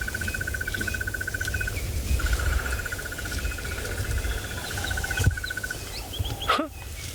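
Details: Crested barbet (Trachyphonus vaillantii), hidden in a tree beside the vehicle in the Sabi Sands, gives a long, even, rapid trill like a ringing alarm clock, in two bursts of about two and four seconds, over a low rumble.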